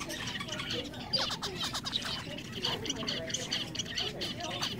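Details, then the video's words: Several zebra finches hopping around in a cage at a pet shop chatter with quick, nasal, toy-trumpet beeps overlapping in a busy jumble, over a low indoor rumble and murmuring voices. "noises from Zebra Finches hopping around in a cage"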